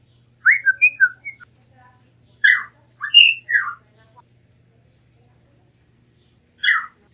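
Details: Blue mockingbird song in scattered bursts: a quick cluster of short whistled notes, a pause, then several louder slurred phrases and a lone note after a long silence.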